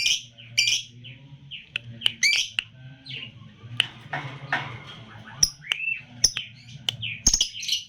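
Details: Lutino lovebird aged three months, 'jeda rapat' style: irregular squeaky chirps, rising whistled squeals and sharp clicks scattered through, over a low steady hum.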